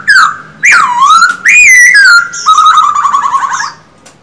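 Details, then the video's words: Loud song from a caged male Silver-eared laughingthrush in daily training: a falling whistle, a deep U-shaped slur, a high sustained note, then a long trilling, wavering phrase that trails off. "Khướu bạc má hót quá đỉnh, 60 phút luyện giọng mỗi ngày."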